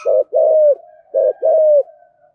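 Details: Spotted dove singing in the 'giọng thổ' voice style: two low, hollow coo phrases, each a short note followed by a longer, slightly falling drawn-out coo, in a quiet setting.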